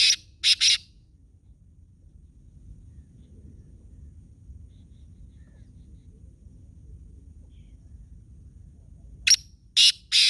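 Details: Black francolin in Khushab giving its grating call, two rasping notes at the start and a similar three-note burst near the end, separated by a long stretch of quiet outdoor background.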